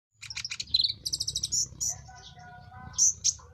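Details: Common iora calling in a mating context: a quick burst of high chirps and short trills, a rapid series of sharp repeated notes, then softer warbles and two bright high whistles, over a faint low hum.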